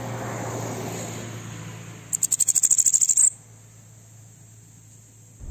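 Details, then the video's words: Bananaquit singing aggressively, a song used to excite other birds: one fast volley of high, clicking notes lasting about a second amid a continuous thin high tone and low background hum. "Sibite 🔥 CANTO AGRESSIVO PARA ESQUENTA SEU SIBITE"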